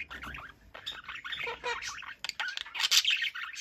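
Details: Pair of pet budgerigars in conversation, a busy stream of scratchy warbles, chirps and clicks with sharper high notes near the end.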